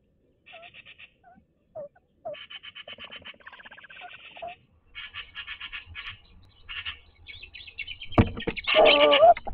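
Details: Courting tawny owl pair inside a nest box in Toledo, Castilla-La Mancha, by day. Soft short yelps mix with bursts of fast buzzy trills, ending in loud scratching and rustling.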